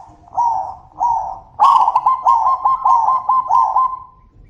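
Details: Zebra doves calling back and forth with loud voices: two softer trilled coos, then a long loud stuttering phrase of about eight quick rolling notes that trails off, all at one steady mid pitch.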